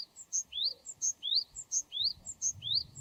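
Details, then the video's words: Wild Japanese tit singing: a clear two-note phrase, a high short note followed by a rising whistled sweep, repeated steadily about four times in three seconds. "シジュウカラの鳴き声08【鳥の鳴き声】 birdsong of Japanese Tit Parus minor"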